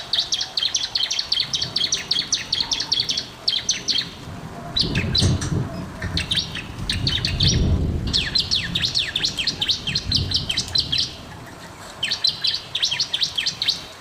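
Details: Bar-winged prinia singing as a master recording for birds that will not sing; fast runs of high, sharp ticking notes repeated in long series, broken by a stretch of low rumbling background noise.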